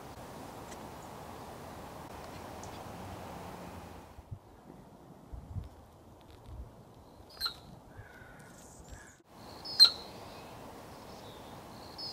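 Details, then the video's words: Male Anna's hummingbird making dive displays to woo females in suburban Portland, Oregon. The chirp at the bottom of the dive comes from the tail feathers. Brief sharp high chirps are heard, with two loud ones near the end, over a low rumbling background. "Hummingbirds Dive-Bomb Display"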